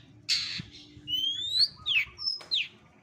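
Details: From a compilation of bird sounds for training contest birds: a harsh buzzy squawk followed by a long rising whistle and several sharp, falling squeaky notes.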